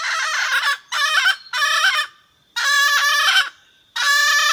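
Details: Red junglefowl hen calling the rooster, a call said to draw wild birds to answer and approach: four loud, harsh, harmonic bursts of about half a second each, spaced irregularly, over a faint steady high insect hum.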